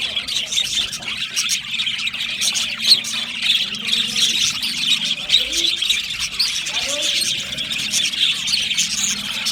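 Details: Many budgie parrots chattering without a break, a buzzing wash of high chirps and squeaks, with a faint lower murmur underneath.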